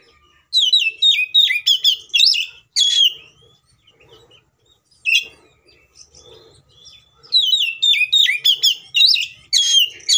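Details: Kacer, the Oriental magpie-robin, in a provoking fighting song: a fast burst of bright swooping whistles, scattered single notes and soft chatter during a pause, then another energetic run of whistled phrases.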